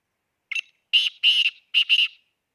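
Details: Harsh, strident call of a black francolin recorded at Khushab: one quick introductory note leads into a doubled pair of grating notes, all within about two seconds. No other sounds are heard.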